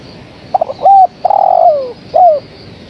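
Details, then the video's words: Spotted dove female calling to a male, giving one full cooing phrase: two or three clipped opening notes, a bent short coo, a drawn-out descending coo and a closing short coo. "Suara Tekukur Betina Gacor Memanggil Sang Jantan"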